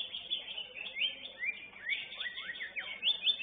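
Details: Greater green leafbird in competition singing, rapid overlapping high whistled notes with quick upward and downward sweeps, delivered continuously and energetically, soft background chatter from a contest crowd.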